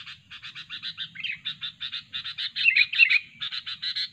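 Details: Sooty-headed bulbul sound used as a trapping lure, described as fierce and chatty: a fast run of harsh buzzy chattering pulses, about three per second, broken by a few brief bright whistled notes.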